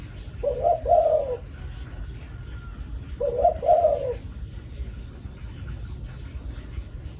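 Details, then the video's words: Zebra doves, two Malaysian females kept for breeding, cooing in the styles called chiêu gù and thúc gù: two soft, mid-pitched rolling coo phrases about three seconds apart, each of several quick notes, over low background rumble. "Chia Sẽ 2 Mái Malaysia ( Chiêu Gù & thúc gù ) Thích Hợp Sinh Sản"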